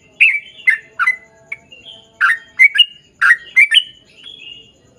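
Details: Sooty-headed bulbul giving vigorous ropel panjang singing, used to make other bulbuls sing along. Irregular bursts of bubbly chirps mixed with thin, drawn-out whistled notes.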